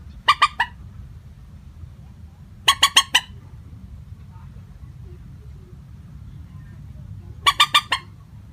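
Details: Moorhen lure call without pitch variation: three bursts of rapid, harsh clucking notes, three or four notes each, separated by gaps of about two and four and a half seconds, against a low steady rumble.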